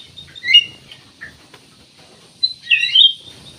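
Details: Black-naped oriole singing prolifically, used as a lure to get other birds to sing: two bursts of clear, fluted whistles with rising and falling slurs, one near the start and a longer one near the end, with a quiet pause between.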